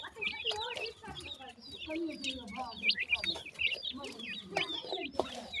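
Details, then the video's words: Several pheasant chicks feeding together give high wavering peeps in quick succession, with a softer lower call and occasional taps. "baby pheasants joke while eating feed,teetar pheasant baby cute"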